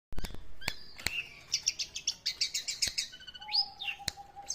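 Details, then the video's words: Long-tailed shrike singing actively: a few sharp clicks, then a rapid run of bright, scratchy chirps high in pitch, followed by slurred whistles and a thin, steady mid-pitched tone near the end. "pented / toed gacor"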